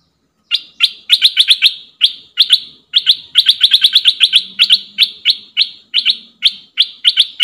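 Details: Decoy bulbul used to provoke wild birds into fighting: a fast, uneven series of sharp, clipped high chips, bunched in quick bursts with short gaps, nothing else audible.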